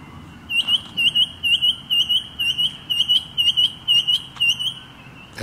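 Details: Noisy miner at dawn in a bird sanctuary garden in Moorooka, Australia, giving short, clear piping notes in quick pairs, about two pairs a second, over a steady high-pitched background hum.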